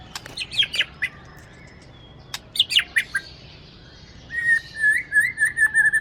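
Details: Caged white-rumped shama from Aceh, a breeding bird noted for copying other birdsong: sharp clicking high notes in short bursts, then a sustained wavering whistled trill.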